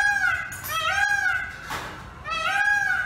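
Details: Peacock on a pole gives overlapping nasal wailing calls that rise and fall. A noisy rushing burst breaks in halfway, then another drawn-out wail follows.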